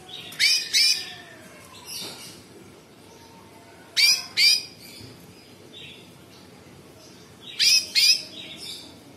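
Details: Sooty-headed bulbul singing in the harsh, rasping tembakan style. Paired, sweeping, scratchy bursts come in three clusters about four seconds apart, with faint soft whistles between them.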